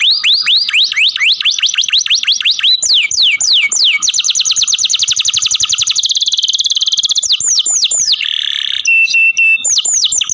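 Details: Canary in care sings varied tours: rising repeated whistles, fast downward sweeps, a long rapid rolling trill, a harsh buzzy burst and a final pulsed series of high notes.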